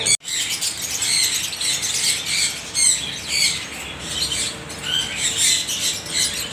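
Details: Parrots calling together in a dense, overlapping chorus of high chirps, squeaks and short whistled notes with no pauses, forming a steady chattering wash throughout.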